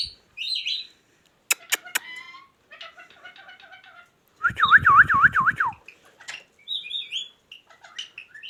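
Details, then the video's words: Talking ringneck parrot giving sharp clicks and a buzzy stuttered phrase, then a loud wavering trill that swings up and down about five times, ending in high chirps and squeaks. "ringneck |talking |parrot"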